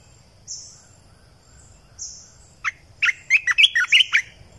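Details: Decoy song of a red-eyed bulbul recorded in 2020. Near the end comes a rapid run of about seven jumbled, liquid chirps, after two drawn-out high whistles from another bird.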